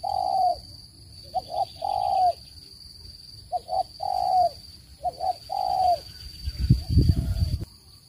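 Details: Spotted dove used to lure birds into traps, its calls clean and without background noise. Soft hollow coos come in short grouped phrases, and a brief low thumping noise sounds near the end.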